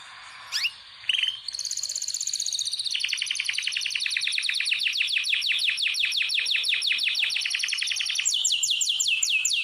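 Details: Canary in an indoor breeding room during pairing preparations, giving two short chirps, then a long steady rattling roll lasting several seconds, finishing with a higher, brighter series of repeated notes.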